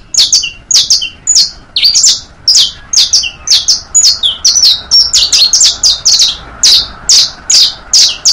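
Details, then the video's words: Teaching song of the saffron finch, known locally as canario, in its basto, pinto and fino forms. Rapid series of sharp, high chirps and brief buzzy trills, evenly spaced over eight seconds, crisp and loud with a faint low hum. "Una hora de Cantos para enseñar canarios, bastos, pintos, finos... (Sicalis Flaveola)"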